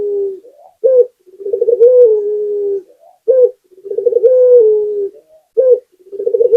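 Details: Gacor song of a local puter, Barbary dove, meant to coax other doves into singing. Repeated phrases of a clipped coo, a throaty rolling trill and a drawn-out coo easing downward, roughly every two and a half seconds.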